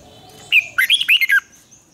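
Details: A red-whiskered bulbul's twisting 'giọng xoắn' song, used for morning training before singing contests: one clear note followed by four fast, bubbling whistles that rise and fall, with a faint high tone behind.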